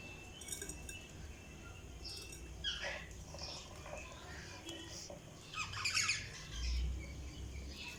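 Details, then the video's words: Budgerigars chirping: scattered bright, high chirps and short twittering bursts, with a dense cluster near the end, over a steady low background hum. "Budgies Sounds| Budgies Chirping sound"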